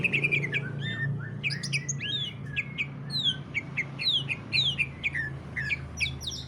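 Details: Greater green leafbird 'ngentrok' song for stimulating other leafbirds: separated sharp whistled notes arcing up and down, with occasional high chips, over a noticeable low hum.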